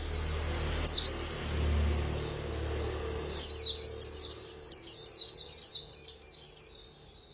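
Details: White-eye singing its fast khuyên líu song style, rapid beak: a short high twitter near one second, then from about three and a half seconds a run of quick, high, warbling bursts in tight succession over a soft low rumble.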